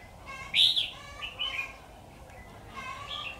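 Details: Fighting song of a red-whiskered bulbul, 'Mí lửa' type, recorded during trapping with a decoy bird on 13 October 2019: a loud sharp whistled burst followed by softer slurred notes and a fainter closing phrase, with steady low hum.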